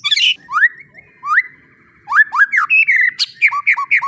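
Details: White-rumped shama song used as tutor material for young birds: loud rising whistled notes, then quick chattering bursts of upslurred whistles and sharp high clicks with short pauses between phrases.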